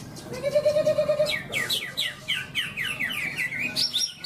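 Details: Greater green leafbird (Chloropsis sonnerati) singing at a songbird contest in Malinau, North Kalimantan, 6 March 2022, where it won: a rapid run of varied, slurred whistles and chattery notes, high and rising and falling, opened by a lower drawn-out note.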